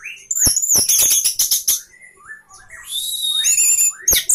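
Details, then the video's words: Varied 'sapu jagat' song of a caged orange-headed thrush with fanned tail: dense high trills and chips, a low mid-pitched warble, then a long sustained high whistle rising at the start. "anis merah sapu jagat, buka ekor"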